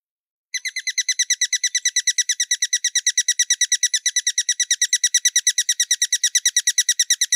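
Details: After a brief pause, a hummingbird starts a long, fast, very regular series of high, bright chips, around three per second, with nothing else audible.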